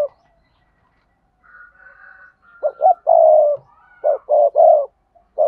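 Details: Spotted dove calling in the sa thúc, cooing and crowing styles, used to lure wild doves: low hoarse coo phrases, two short notes then a longer rolling coo, repeated, with faint higher whistled notes behind.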